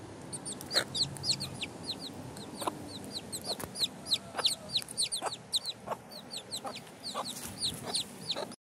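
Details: City backyard hen with her brood of chicks: dense, continuous high-pitched peeping, short falling cheeps tumbling over each other several times a second, mixed with scratching, soft rustles and occasional sharp clicks.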